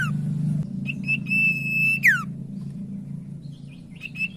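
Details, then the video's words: Common iora song used as a lure for other ioras. One phrase of short notes runs into a long level whistle that drops in a steep slur, then softer scattered notes follow. A steady low hum runs underneath. "Sirtu Macet Jadi Gacor Dengar Pancingan Burung Sirtu Satu Ini - Cipoh Gacor"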